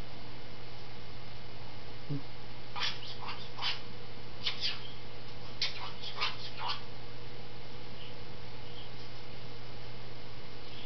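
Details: Pet Goffin's cockatoo indoors giving angry chipmunk-like chatter: a burst of short, scratchy broadband notes in two clusters across a few seconds, over a steady low hum.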